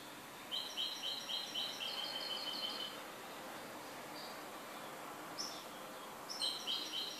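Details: A goldfinch sings a quick series of bright, repeated double notes for about two seconds, then pauses before a few scattered chirps and a second short run of ringing notes; faint background hiss throughout.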